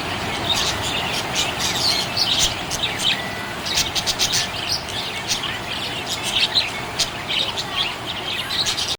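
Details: Cheerful budgerigar chatter: dense, fast sequences of high chirps and clicks, some rising whistled notes, busiest midway, over a steady background hiss.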